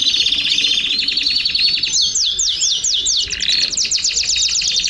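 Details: Many domestic canaries in chorus: a continuous high trilled roll gives way to series of quick sweeping chirps repeated several times a second, voices overlapping densely.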